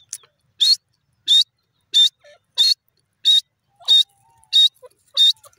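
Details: Grey francolin, a male, giving loud, sharp, high notes, each short and ringing, repeated steadily about every two-thirds of a second, eight times in near silence.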